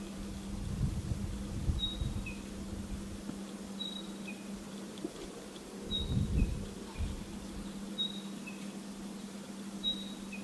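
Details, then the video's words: Spotted pardalote repeating a soft, high two-note whistle, the second note lower, about every two seconds, over a steady low hum and occasional rustling. "Spotted Pardalote bird call"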